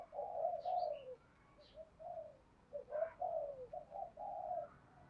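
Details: Spotted dove calling and cooing, a decoy bird answering all day. Quieter, overlapping low coos run almost continuously under a steady background hiss, with a few brief higher notes.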